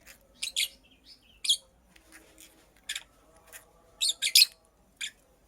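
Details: Purple lovebird, a female building a nest, giving shrill, scratchy high chirps in short bursts of two or three, spaced by quiet gaps, with a faint low hum underneath.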